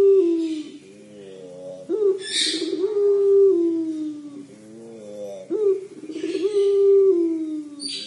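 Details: Puter pelung collared dove repeating its 'crying' call: three drawn, harmonic-rich coos, each starting abruptly high and easing downward, with brief bright chirps between.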